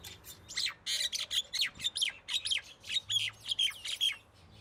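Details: Common myna (Acridotheres tristis) giving loud, harsh chattering calls. Rapid squawky notes come in an uneven stream of about three per second, with bursts clustered together throughout.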